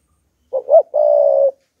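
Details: One clear phrase from a decoy spotted dove singing to provoke wild doves: two short swelling notes and then a long, smooth, level coo in a quiet setting.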